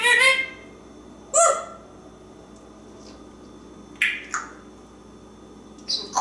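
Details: Talkative African Grey Parrot indoors in a kitchen, perched on a drawer and vocalizing: short separated squawky bursts and clipped syllables, some rich in harmonics, spaced irregularly with quiet gaps.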